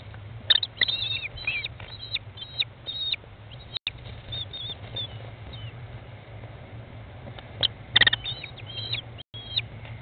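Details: American kestrel mother feeding her 15-day-old chicks inside a nest box, 20 May 2011 at 13:54; high, thin, drawn-out whining calls in two bursts, early and near the end, over scratching and shuffling in the box.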